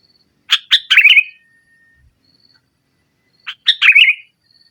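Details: Sooty-headed bulbul in spirited nggaruda song meant to coax a silent bulbul: two separate phrases, each of a few sharp notes tumbling into a short bubbly warble, with a faint thin whistle between them.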